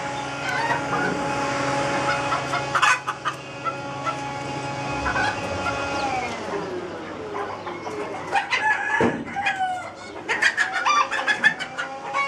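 Chickens cluck and call in short, repeated bursts, with a long drawn-out crow-like note sliding down midway, over a steady background hum.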